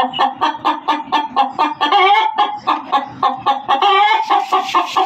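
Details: Hen giving loud, hurried cackles: short, clipped clucks repeated quickly, broken by two longer drawn-out squawks, with no other clear sounds.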